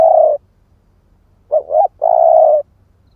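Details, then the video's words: Spotted dove of the split-breast type, used as a lure to provoke other doves. A drawn-out steady coo ends, then two quick rising hooting notes lead into another long, level, resonant coo. "Chim cu gáy ức chẻ thúc kích mồi | Tiếng chim cu gáy kích bổi"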